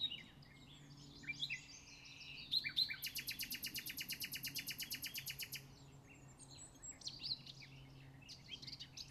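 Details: Common nightingale singing at RSPB Pulborough Brooks: varied whistled phrases, then a long rapid series of about thirty-five loud repeated notes, followed by softer warbles, over a low steady background hum.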